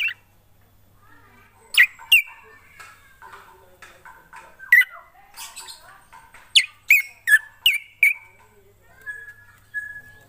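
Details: Black drongo singing in spaced bursts of sharp, explosive notes that drop into ringing whistles, interspersed with softer warbling chatter and ending on a steady whistled tone.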